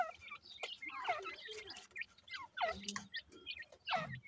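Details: Partridge chicks feeding in the morning utter a steady string of falling, slurred peeps at varied pitches, interspersed with soft pecking and tapping sounds.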